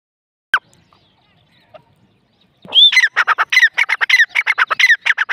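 A grey francolin bursts into a loud, harsh, rapidly repeated call of ringing rising notes after a single sharp click and near-silence.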